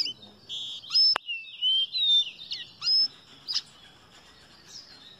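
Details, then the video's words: Caboclinho singing: a series of clear whistled notes and short slurred phrases, some rising and some falling, with a sharp click partway through and a quiet background. "CABOCLINHO CANTANDO"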